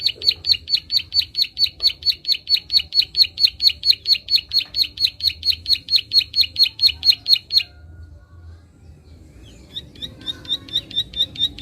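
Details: Prinia clicking call, played to stimulate untrained birds: a long, even train of sharp, high clicks, roughly two per second, for over seven seconds, a short lull, then the ticking starts again more softly.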